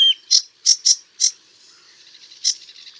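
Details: A short burst of sedge warbler song: a few separate harsh, clipped notes in quick succession, a brief pause with a faint wavering trill, then one more sharp note.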